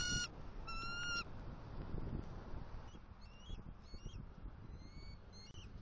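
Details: Bald eagles at their Southwest Florida nest on October 28, 2023, during fish gift deliveries from male to female: two loud, high whistled bursts, then softer, fainter chittering notes over a rough background rumble.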